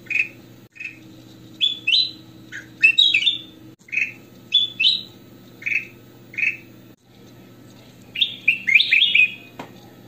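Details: Kutilang emas, or goldfinch, giving lively chatty song meant for training and luring other birds: bursts of short clear chirps and rising whistles, irregular, ending in a dense twittering flourish, with constant low background hum.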